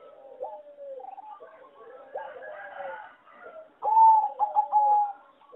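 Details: Singing zebra dove from a farm, bred for competition but judged to sing badly: gentle overlapping coos from a group, then a loud stuttering series of short coo notes near the end.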